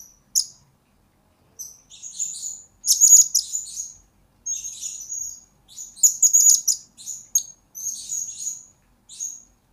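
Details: Blue-crowned hanging parrot song used as lure and master recording for bird training: near-continuous sequence of sharp, very high-pitched chirps, buzzy trills and clicking notes, delivered in irregular bursts with brief pauses.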